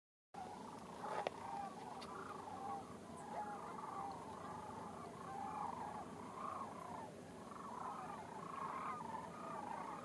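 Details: Sandhill cranes in a group calling continuously, a distant chorus of overlapping rolling, trumpeting notes repeated over and over, set against steady low rumbling background noise.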